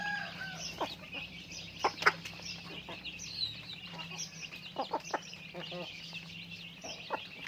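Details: Chickens in daily activity, giving distinct loud clucks every second or so against a background of high flock chatter and a low steady hum.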